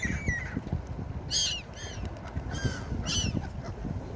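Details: Gulls on a beach crying loudly: rough, stacked-harmonic squawks in quick bursts, some drawn-out and slurred, repeated about every second, over low rolling surf noise.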